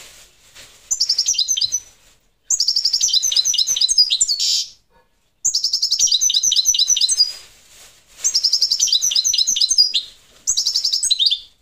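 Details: European goldfinch of the parva subspecies singing in bursts of rapid, bright, high twittering and tinkling notes, each phrase lasting one to two seconds, separated by short silences.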